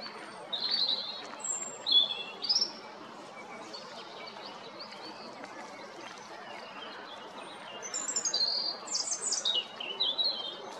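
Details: European robin recorded on 13 April 2022 at Jarun in Zagreb, Croatia; high, thin warbled phrases of varied whistles and trills, one burst at the start and another near the end, separated by a quiet pause.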